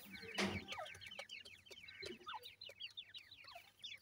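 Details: Grey francolin (dakhni teetar) chicks: a dense chorus of thin, high peeping notes, each a short falling chirp, overlapping continuously, with a loud thud near the start and low hum beneath.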